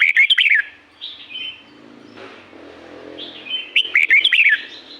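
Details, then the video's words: Red-whiskered bulbul singing in La-u forest: a warbled phrase opens, soft whistles follow, then another bubbly run of rising and falling notes, with a faint low engine hum midway. "เสียงนกกรงหัวจุก จากป่าละอูแท้ๆ เสียงดี เสียงเพราะ จากธรรมชาติ"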